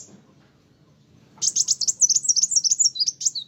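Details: Kolibri wulung sunbird singing vigorously to provoke other birds: after a second of quiet, a dense, jerky, two-second stream of very high chips and slurs, rising and falling.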